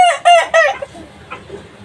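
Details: Kukuak balenggek youngster, aged three months, gives three loud, strongly harmonic crowing notes in quick succession, each steady then falling, trailing off into faint rasping sounds.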